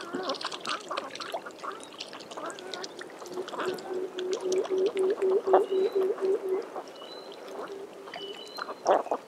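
Spectacled eider giving a low, gurgling series of about a dozen quick croaks, roughly three per second, while thin high whistles of other birds sound in the background.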